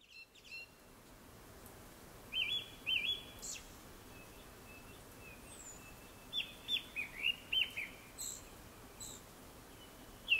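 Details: Japanese thrush singing before sunset: two bursts of clear whistled phrases, each a run of short fluting notes, followed by thin, very high squeaky notes, with quiet gaps between bursts.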